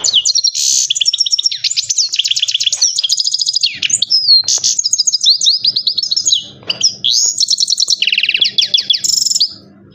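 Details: Caged Himalayan goldfinch in full song: a long, busy medley of rapid chirp series, buzzy rattles and slurred whistles, briefly pausing near the end, with faint low background hum.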